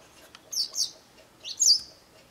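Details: Japanese wagtail in a garden, calling loudly and persistently: a pair of quick high chirps, a short pause, then a longer, louder shrill note that slides and fades.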